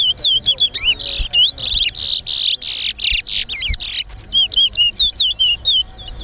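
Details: Chestnut-bellied seed finch (towa towa) at a bird whistling competition, singing a fast, continuous run of high, clear whistles and slurred rising and falling notes, with some rapid warbled trills.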